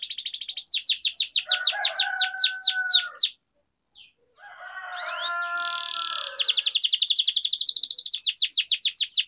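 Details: Canary singing a rolling trill song, used to prompt lazy canaries to sing. High, fast tours of repeated down-slurred notes, a short silent break, then more rapid buzzy trills at a steady quick pace.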